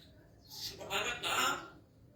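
A Grey parrot talks in three quick, speech-like bursts, bright and slightly raspy, with a faint room hum beneath.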